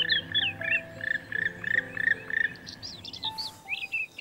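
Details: Black woodpecker at Plantloon nature reserve near Waalwijk, Netherlands, giving about seven rolling, croaky notes, roughly three per second, over a steady low hum; higher chirps from smaller birds follow.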